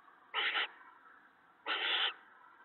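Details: Owl family at the nest, mate and owlets being fed mice and a rabbit on a March 2017 evening; two strong rasping hisses, each under half a second, separated by about a second of quiet hum.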